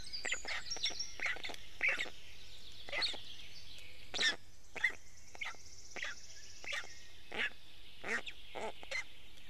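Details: Nestling Black storks in Estonia calling while being fed fish by the male parent, 6:41 am, 29 May 2018; spaced, scratchy begging squawks over nine seconds, with songbirds singing in the background.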